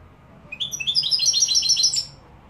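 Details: A Málaga goldfinch from Morocco sings a quick, tinkling burst of high twittering notes lasting about one and a half seconds, with a faint low rumble behind it.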